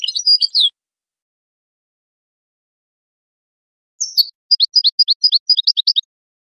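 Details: Brief goldfinch twittering, then a long silence. A slurred call follows, then a neat series of about ten quick, evenly spaced chirping notes. From a song tape used to train chicks and songbirds.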